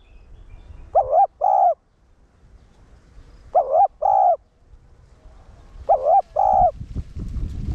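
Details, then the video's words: Decoy spotted dove in captivity singing in one-ending style to stimulate males. Three well-spaced pairs of wavering coos come about every two and a half seconds. A hissy rustle enters at the end. "Cu gáy mồi cây 1 hậu gù, thúc kích bổi điên máu ức chế. cu đất gáy"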